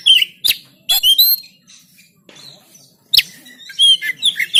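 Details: Oriental magpie-robin recorded on an Android phone in Banten as a training recording to make other birds sing. Short bright whistled phrases and sharp chirps come in two bursts separated by a quiet gap, with faint low murmur beneath.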